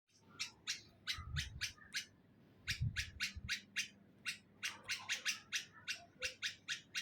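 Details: Bulbul nesting in a neem tree in Hyderabad, Sindh, Pakistan: sharp, broadband chirps repeated about three times a second, with a short pause mid-sequence and low rumbling thumps underneath.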